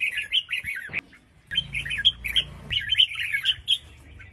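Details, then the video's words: Red-whiskered bulbul female calling to get males singing: clear, rolling chirped phrases repeated in quick series, a brief gap near the start, and a low hum in the background. "Chào Mào Mái Kích Trống"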